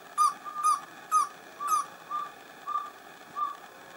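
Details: Pale-billed Antpitta at San Lorenzo, northern Peru, in humid montane bamboo forest, giving a steady run of short, hollow whistled notes, about two per second at an even pitch, with faint high ticks over the first few notes.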